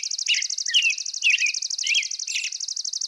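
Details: European robin song: short twittering phrases around the middle-high range, overlaid by a steady, rapidly pulsing high trill running through the whole stretch.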